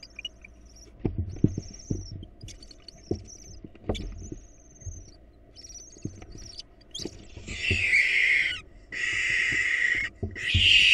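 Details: Barn owls at a nest where an intruding female attacked the nestlings: thin high whistled notes repeat every second or so with knocking thumps, then long harsh broadband screeches take over near the end.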